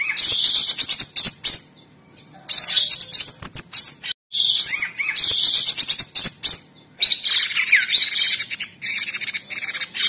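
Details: Caged orange-bellied leafbird (cucak cungkok) in a gacor tembakan master song: dense, high, buzzy chattering phrases in several bursts with brief pauses, mixing rapid twitters and sliding whistled notes, ending in a long varied warble.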